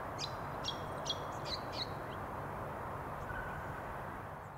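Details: Red-browed finch (Neochmia temporalis) at Ipswich, Queensland, in August 2021, giving five or six thin, very high piping calls in quick succession, then falling quiet, over a steady low rumble like distant traffic.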